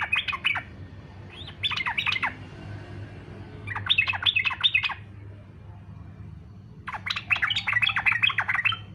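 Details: Yellow-vented bulbul singing in fighter style, meant to lure other bulbuls into answering: four short, rapid bursts of bubbly chatter with pauses between, faint hum in the background.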